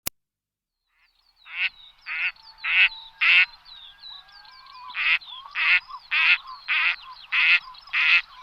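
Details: Duck quacking in a steady series of about a dozen harsh, nasal quacks, each short and rasping, coming roughly every half second after a quiet start, with faint higher squeaks between them.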